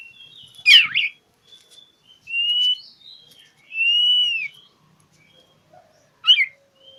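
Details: Oriental magpie-robin (kacer) seeking a rival: a sharp looping note, then two long clear whistles, the second rising and falling, and a final sharp chip.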